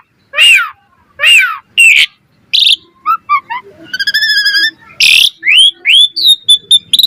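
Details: Asian pied starling giving varied training song for other starlings: two descending chevron-shaped notes, a buzzy rippled trill, a harsh noisy burst, then a series of rising whistled notes.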